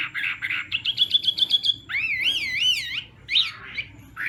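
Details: Chinese hwamei in a morning singing-contest training session: rapid stuttering trill of short notes, then a wavy, warbling whistle rising and falling several times, followed by scattered softer notes.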